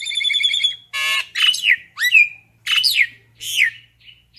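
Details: Common myna calling to gather its flock: a nasal trill, then harsh squawks mixed with loud slurred whistles that swoop up and down, in bursts about half a second apart.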